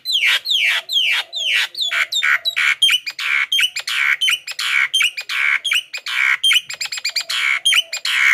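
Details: Javan myna lure song for wild birds: dense, fast series of loud scratchy downslurred notes and squeaks, almost continuous, growing quicker toward the end.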